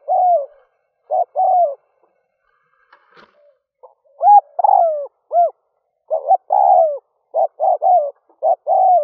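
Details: Spotted dove used as a decoy, cooing to draw in wild doves early in the morning: repeated low hollow coo phrases of short and drawn-out falling notes, a brief pause midway, then louder rising-falling coos and quicker triplets.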